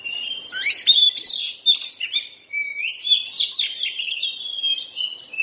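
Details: Moulting Oriental magpie-robin delivering a dense, energetic run of sweet whistles, rising slurs and scratchy twittering notes that tumble together almost without a break, bright and high throughout.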